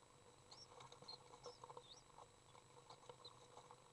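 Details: Common swift young in a nest box, being fed by an adult, give faint thin high chirps and quick upslurred squeaks over scratchy shuffling in the enclosed box; recorded 10 June 2011.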